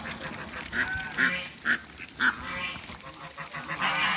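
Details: Farm Muscovy ducks calling: a run of brief nasal honk-like notes, two sharper loud bursts near the middle, then a rougher overlapping chorus toward the end.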